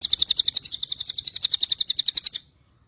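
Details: Cililin bird call: a fast, even string of about eighteen sharp, high chirps over two and a half seconds, each note bright and clipped, then silence.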